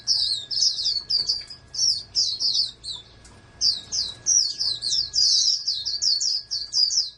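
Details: A caged oriental white-eye, bred as a prospective national champion, sings rapid high twittering phrases of clipped chirps, with a short lull near the middle before resuming a dense trill-like run.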